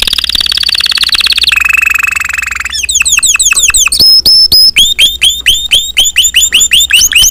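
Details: Spanish Timbrado canary song: a high rolling trill dropping to a lower buzzy roll, then long series of loud upswept chirps at a brisk, slightly uneven rhythm.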